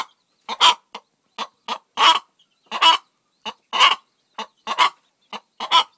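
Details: Hen, a Faverolles cross, cackling while laying an egg: rasping clucks about once a second, alternating short notes and longer emphatic cackles, with no other clear sounds.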